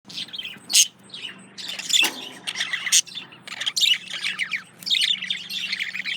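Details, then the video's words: Male budgerigar courting a female, a kept pet bird: busy chattering warble of short buzzy and scratchy notes, with bright high chirps and squeaks in bursts and a few brief pauses, over a faint low hum. "Male Budgie/Parakeet Courting Female"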